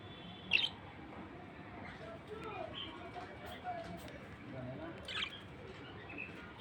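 A budgerigar gives a few sharp, high chirps over a soft, steady indoor hiss.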